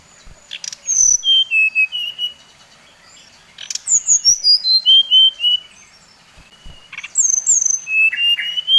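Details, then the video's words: Brown-chested jungle flycatcher song played to provoke rival birds: three phrases of sweet whistled notes, each sliding down in steps from very high to middle pitch, separated by short pauses with faint clicks. "Suara SRDC Bali Paling di sukai srdc lain | Pancingan Srdc bikin srdc lain naik emosi"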